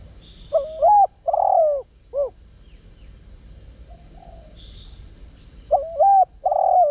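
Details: Decoy spotted dove calling to lure wild doves. A deep four-part cooing phrase, short, long, longer and then a brief end note, is heard, and the same phrase begins again about five seconds later over a quiet hiss.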